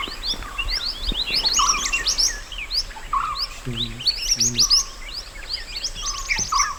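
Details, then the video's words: Mountain white-eye song from nature, used for teaching other birds: quick bursts of high, thin chirps and a lower whistle every second or so, with a brief low humming sound twice in the middle. "MASTERAN SPESIAL MANTENAN GUNUNG ASLI ALAM"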